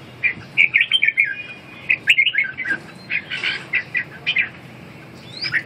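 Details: Red-whiskered bulbul giving a run of lively warbled whistles, quick up-and-down notes in several clusters over the clip, steady low hum in the background.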